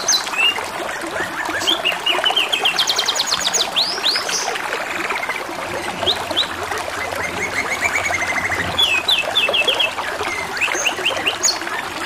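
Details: Canary song set against trickling water, fainter and more masked: rapid repeated high notes, a few swept whistles and fast level note series come and go over twelve seconds of watery background.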